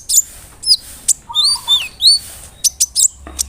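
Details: Provocation lure of a large brown-throated sunbird: a few piercing high chirps, then a cluster of curving, sweeping whistled notes, followed by more sharp clicks.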